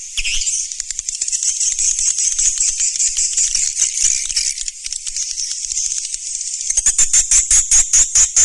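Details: Surya Mentari swiftlet sound, 2019: a long, steady, hissing high twitter for nearly seven seconds, then a fast train of evenly spaced sharp clicks.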